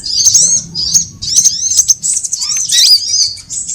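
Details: Sunbird lure sounds for trapping, all kinds combined: thin, very high twittering notes and quick up-and-down slurs in short clusters, nearly continuous across the few seconds.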